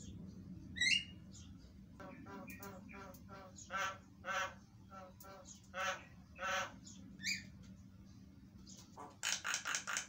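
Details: Javan myna singing a fast, lively lure song meant to draw responses from other mynas: repeated harsh, buzzy notes about every half second, a few higher whistles, and a dense chattering burst at the end over steady low hum.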